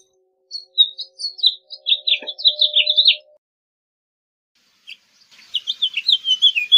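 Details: A house finch gives a string of quick warbled notes for about three seconds, pauses, then a fainter, more distant-sounding twittering phrase follows; a brief tonal hum and a click midway.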